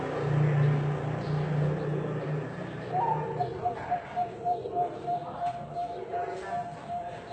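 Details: Indonesian-bred zebra dove with ASEAN-style voice, offspring of competition-line parents: after a low engine-like rumble, a fast steady string of short cooing pulses starts and runs to the end, with faint voices behind.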